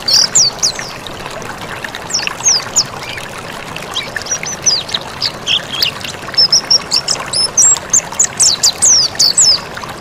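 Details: Mountain white-eye singing on a training recording for birds. Bursts of thin high downslurred notes alternate with quieter passages, ending in a lively, rapid run of bright chirps.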